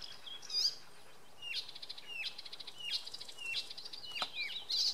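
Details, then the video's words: An icterine warbler sings in the evening or afternoon at Oksywie, Poland: a fast, varied medley of high chattering notes, quick repeated trills and sliding whistles, with a faint background hiss. "Wieczorem zaganiacz podśpiewuje."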